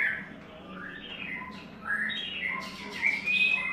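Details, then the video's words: Somewhat quieter whistled song of a white-rumped shama in its third molt. Short slurred notes are followed by louder bright whistles and scratchy high accents in the second half. "White Rumped Shama – “Imagine by Falcon” - 3rd Molt"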